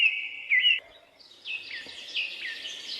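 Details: Forest birds chirping in jungle hills: clear piercing whistled notes, a brief pause, then a run of short downslurred chirps repeated about every half second.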